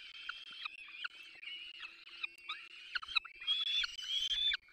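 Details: At a peregrine falcon nest in the Barycz Valley, 3 May 2024, chicks beg as the adults feed them: overlapping thin whining calls, about 90 per minute, with a louder burst near the end.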